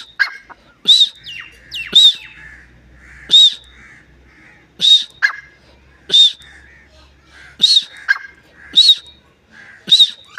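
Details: Partridge calling steadily: strident arched notes, several preceded by a quick sharp click, repeated about once a second over a quiet low drone.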